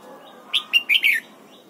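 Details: Red-whiskered bulbul in morning song training for the 'double-note' wild-style song gives one brisk phrase of four bright notes, the last a warbled two-part note slurring downward, lasting under a second.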